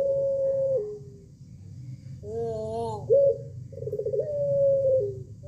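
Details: The tail of one Pelung chicken crow fades out, then a new crow follows with an arched rising opening and a steady, long-held tone of almost two seconds, over a low constant hum.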